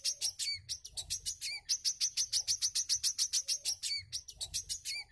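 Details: Wiceh singing, meant as tutor audio for caged birds: rapid runs of thin, high-pitched ticking chirps alternating with brief pauses and sweeping downward whistles that recur roughly every one and a half seconds; a soft low rumble underneath.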